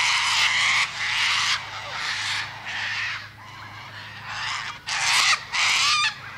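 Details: Cockatoo letting out about seven rough, raspy screeches, some carrying a rising whistled edge, with uneven pauses in between.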